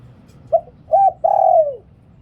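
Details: Spotted dove singing in the liu tan style, used as a decoy call: a short low coo, then an arched coo, then a long steady coo that slides downward at the end. The three-note phrase is given once against faint low background hum.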